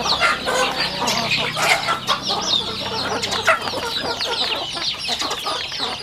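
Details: Rural household chickens during a meal, sounding as a clatter of rapid pecking clicks beneath a crowded layer of high, slurred chirps and a few low clucks.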